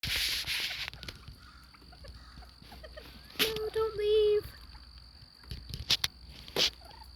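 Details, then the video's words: A Snowflake bobwhite quail gives one soft, slightly wavering whistled call lasting about a second, amid scattered clicks and scuffs and a steady high hum. "bobwhite quail making adorable noises"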